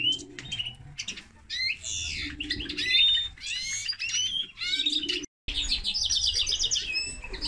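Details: Linnet and canary hybrid gives choppy bursts of chirps and rising slurs, a momentary silence, then a rapid, continuous high trill to the end.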